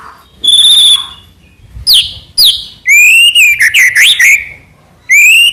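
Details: White-rumped shama (murai batu) song: a long level high whistle, two sharp downswept notes, then a rising whistle breaking into quick warbled slurs, ending with another rising whistle.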